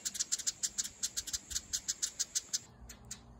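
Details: Begging from house wren nestlings left unfed after their mother vanished; a steady, rapid series of thin, high chirps, about five per second, stopping abruptly, over a faint hum.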